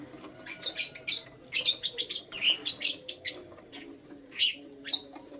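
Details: Lutino lovebird chirping in the morning: rapid shrill, buzzy chirps in quick uneven bursts, about two a second, with faint background rustling.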